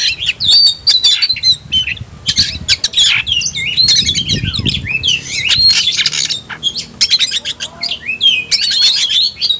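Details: Agitated Oriental magpie-robin in fighting ngobra mode, delivering a long, dense torrent of varied twisting whistles, harsh buzzes and rapid chips with hardly a break.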